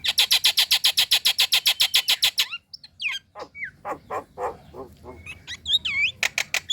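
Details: Female Nias hill myna calling for the male: a loud, even series of harsh, rasping notes about four per second for two seconds. Scattered whistled slurs and throaty chucks follow, then more harsh notes.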